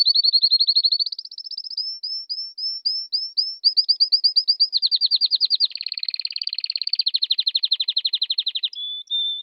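A canary sings a continuous high, bright song of rapid repeated trills and chirps, shifting between whistled notes and buzzy rattling phrases.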